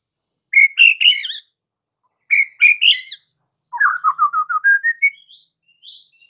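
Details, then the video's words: White-rumped shama song meant to provoke other shamas into singing: two clear whistled bursts with sharp upper notes, then a fast descending-then-rising run of short repeated notes ending in thin high whistles. "dengan cepat murai batu bakal ngamuk dan narung GACOR setelah dengar kicau murai ini"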